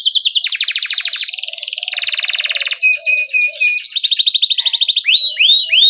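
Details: Vigorous 'ngerol' canary song with 'cuit cuit' phrases, a training lure for juvenile canaries: steady rapid trills shifting pitch, a thin steady whistle, and sharp rising-falling swoops at the close.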